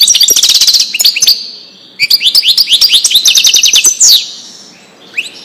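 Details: European goldfinch singing a Widani-style song meant for tutoring young birds: rapid, liquid twittering of bright, rising and falling notes, dense runs broken by a short pause near the middle, ending in a few softer notes.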